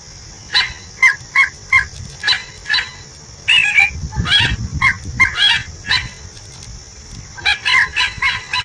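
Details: A pair of common moorhens call to each other with short, sharp clucking notes, repeated roughly every half second in loose bursts, with a steady high hiss and low rumble behind.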